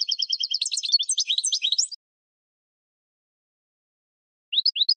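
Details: European goldfinch in spring, from a training recording for cage birds: two seconds of dense, tinkling twittered song, then silence before a few quick rising chirps at the end.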